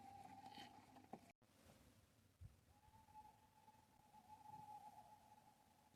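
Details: Several owls back in the forest at an off-grid homestead in Norway in the evening, in the season of snowmelt, near an owl box. They give long, steady, mid-pitched hoots lasting seconds over a quiet background with faint thumps.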